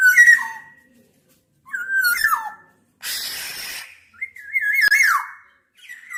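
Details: Black-naped oriole uttering fluty, slurred whistles that drop in pitch, followed by a burst of rasping, nasal noise and then a wavering whistled phrase.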